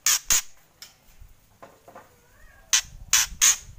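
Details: Harsh kretekan rattles of a white-rumped shama. A close pair of rasping bursts opens, faint quieter notes follow, then three loud bursts end it.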